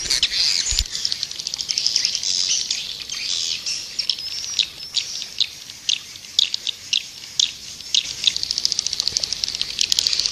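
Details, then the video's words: Swiftlets twittering, a continuous buzzy chatter broken by sharp clicks that grow more spaced and regular toward the end. "Suara Burung Walet"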